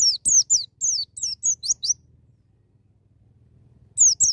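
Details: High, thin white-eye phrases in the wild style meant to trigger a young bird's singing: a rapid string of falling whistled notes for two seconds, then silence, then two more notes.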